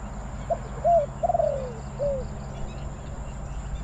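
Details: Spotted dove decoy calling to wild doves at a Bang Li trapping site: one soft phrase of a brief note, an arched coo and a longer wavering coo sliding downward, then a quieter trailing coo.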